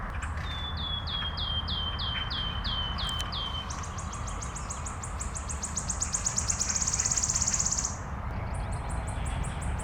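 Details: Wood warbler recorded in Minsk, April 2025, giving a row of plaintive descending piping notes, then a high stuttering series that accelerates into a long, bright shivering trill and starts again, with faint low rumble behind.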